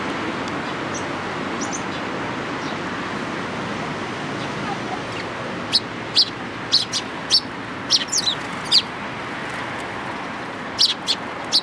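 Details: Sparrows assembled at food at a Tenmangu shrine on 11 April 2018; after a stretch of broad rushing noise, clusters of brief high chirps break out, several in quick succession, then a final short burst.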